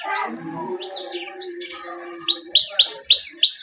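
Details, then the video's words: Canary ngerol song, a tutor recording meant to prompt young birds to sing: thin high trills build over a softer warbling background, then give way to a clear series of loud rising whistles repeated about three times a second. "Masteran Suara Burung Kenari GACOR Ngerol Ini Cocok Untuk PANCINGAN Kenari PAUD Ngeriwik Lekas GACOR"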